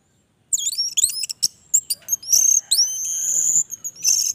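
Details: Orange-headed thrush singing persistently in a long session: a rapid jumble of high, sliding whistles and thin rising sweeps with buzzy bursts, steady and high-pitched, with brief gaps between phrases.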